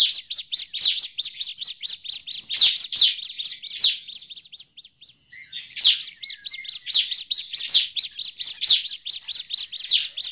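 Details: Bar-winged prinia giving an agitated, noisy call. High, dense chirping runs continuously as rapid, scratchy notes overlap into a busy, chattering stream with short dips in loudness, and there is no other clear sound.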